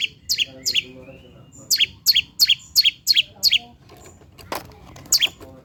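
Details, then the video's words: Lure song of a long-tailed shrike to get lazy birds singing: a run of paired, grating high notes in quick succession, a pause with a dull thump, then one last double note. "PANCINGAN CENDET MALAS BUNYI AGAR GACOR BONGKAR ISIAN"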